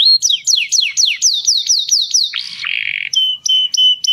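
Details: Mating song of a canary: about nine repeated falling whistled sweeps, a harsh buzzy note, a low trill, then steady clipped whistles on one pitch.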